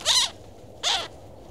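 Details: Cooper's hawk calling with two short, harsh, scratchy notes about three-quarters of a second apart, each slightly arched in pitch, against faint background hiss.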